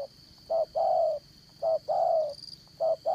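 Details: Spotted dove used as a trapping decoy, Đồng Son voice: a short coo then a long slightly descending one, repeated about every second, loud and close, over a faint continuous insect whine.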